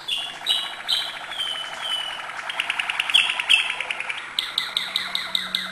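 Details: Malinois canary singing acute notes: high whistled notes blending into a rapid pulsed trill, then a run of quick repeated bright high notes at the end.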